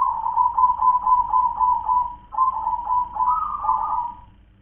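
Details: Zebra dove, local wild bird with the 'kong klar-ke-tek-kong' song: a rolling series of quick low coo pulses, a brief pause, then more pulsed cooing that rises slightly before fading.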